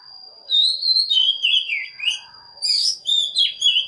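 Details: Oriental magpie-robin lure song for calling wild birds and training young birds: clear gliding whistles rising and falling in quick, uneven phrases, with a brief break midway, over a faint constant high tone.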